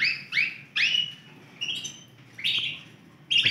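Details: Big-size Yorkshire canary in Romeo colour, one of four healthy birds, utters separate short upslurred chirps and brief whistled notes with gaps between, not a continuous trill.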